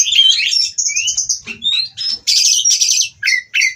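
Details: Oriental magpie-robin (kacer) from a breeding farm, mating and singing to provoke rivals into song: rapid high whistled phrases, sweeping rising and falling notes interleaved with short buzzy bursts in quick succession.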